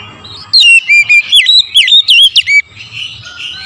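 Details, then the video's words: Oriental magpie-robin giving lure song in the morning: a loud, rapid string of ringing whistled notes, alternately dipping and rising, about ten in two seconds, with faint chirps of other birds around. "TERAPI PANCINGAN AMPUH KACER DIPAGI HAR1"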